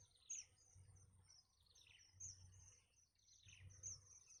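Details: Young nestlings pestering their mother for food, biting her as she feeds them; piercing high peeps, each followed by falling squeaky trills, repeat about every one and a half seconds over faint low noise.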